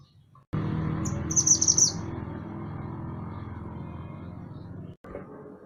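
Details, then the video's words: Lively mantenan gunung, a songbird, recorded as master material for training songbirds: a short, very high, rapid trill of four or five bright chirping notes, over a steady low humming background. "Mantenan Gunung Gacor"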